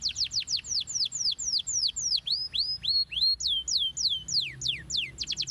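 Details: Canary song played to stimulate young canaries: a slowing series of loud descending swept notes, then rising and falling slurred whistles, ending in a quick burst of rapid chirps.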